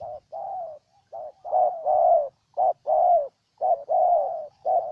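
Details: Spotted dove in Ninh Thuận, Vietnam, giving a steady run of deep, throaty coos grouped as short-then-long pairs, the long notes gently sliding downward, delivered loud and near with no other sounds.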